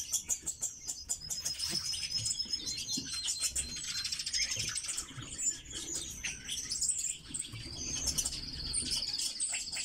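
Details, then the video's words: Red-billed leiothrix giving a continuous high, warbling twitter of rapid varied notes, with busy chattering and scattered clicks and rustling throughout. "Китайские соловьи - Leiothrix lutea"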